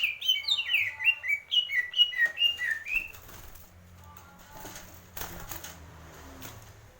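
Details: Greater green leafbird pouring out about three seconds of rapid, bright, downslurred whistles, then falling quiet, leaving faint distant chirps and a low hum.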